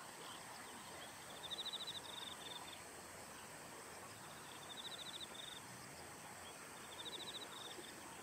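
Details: A female Amur stonechat in winter plumage, at Banyu Fureai Park on 3 October 2015, gives three quick bursts of high, rapid ticking notes about three seconds apart, over a steady high insect-like hiss.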